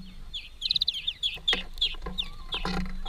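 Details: Greenfinch family feeding together at a workplace: a quick run of high, twittering chirps and short trilled notes through the first half, then scattered chirps, over tapping clicks and a steady low hum.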